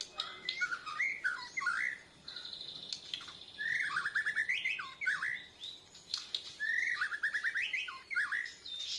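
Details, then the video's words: Bornean white-rumped shama learning to sing continuously, answering a lure recording, chest feathers puffed out; three bright whistled phrases of rapid rising and falling notes, each phrase about two seconds, with a faint high steady tone behind. "Murai Borneo Belajar Gacoorrr, Nyaut pancingan"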